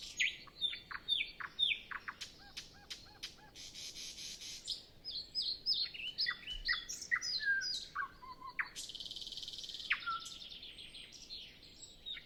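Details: Long varied nightingale song before sunrise, no wind: quick high notes, a string of repeated strokes, a dense buzzy passage, twittering, then a sharp rasping burst and a clear falling whistle.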